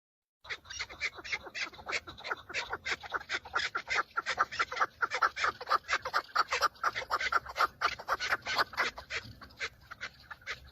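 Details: Several male chukar partridges fighting and displaying to females in breeding season, recorded from inside a car. Dense, overlapping runs of harsh, clucking chuk notes, about two per second, swelling in loudness and continuing throughout.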